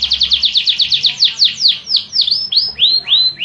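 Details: Canary song opening with rapid descending chips that slow into wider swoops, ending in long rising and falling whistled slurs.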